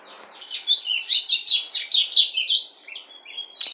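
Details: Pet golado (White-throated Seedeater) in full song: a loud series of pulsing, high, slurred chirps, about two per second, ending with a sharp click.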